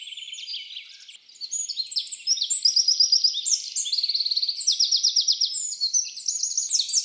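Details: Training recording of wren song: soft high chirping gives way to a long, energetic burst of rapid trills, repeated ringing notes and buzzy rattles, staying high-pitched and continuous.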